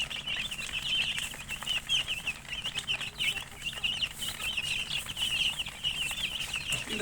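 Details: A brood of domestic chicks calling nonstop, bright high peeps overlapping in a busy chatter, with faint rustling and a thump at the end.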